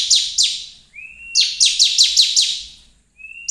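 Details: Bar-winged prinia singing bright, sharply falling chirps in quick bursts of two to five, broken by a thin, level whistle; song used to provoke other prinias into singing.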